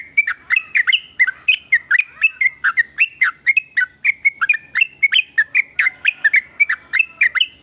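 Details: Varied sooty-headed bulbul song that makes rival bulbuls start singing: evenly spaced, bubbly whistled notes, some rising and some dipping, delivered about three per second for nearly eight seconds without pause.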